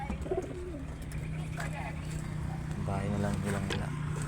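Pigeon giving low, soft cooing notes in short repeated bursts, over a steady low hum and faint voices in the background.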